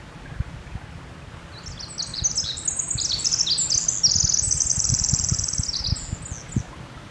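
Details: Pacific wren (Troglodytes pacificus) singing in Northern California: a long, rapid cascade of high tinkling trills and buzzy notes, tumbling on for several seconds over a low background rumble.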